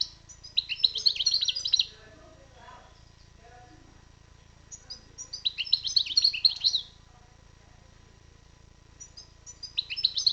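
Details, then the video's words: European goldfinch, described as wild, delivers long liquid twittering phrases of quick high chirps and trills, three bursts separated by pauses of several seconds, over quiet background hiss. "chardonneret bird✧goldfinch✧الحسون الخلوي✧ المقنين الخلوي"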